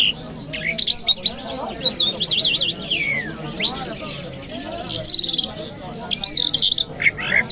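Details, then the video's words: Friday-morning song of a Jal Mashhadi lark in Kabul city: wavering, warbled whistles and sweeping upslurs, then a long gliding descent, followed by buzzy trilled blocks with brief pauses between phrases. "Jal Birds Sounds | Lark Singing | جل مشهدي | طرقه | قزالاق | صدای جل مشهدي برای مست کردن"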